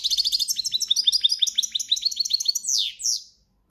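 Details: Breeding-season European goldfinch singing campero song: a fast continuous string of bright twittering notes and chirps, closing with two sweeping buzzy slurs, high and clear with no other sounds.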